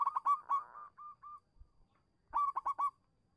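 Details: Local zebra dove singing as a fast-answering lure: a tight cluster of rapid staccato cooing notes trailing into softer spaced coos, a short pause, then another quick burst of four loud coos.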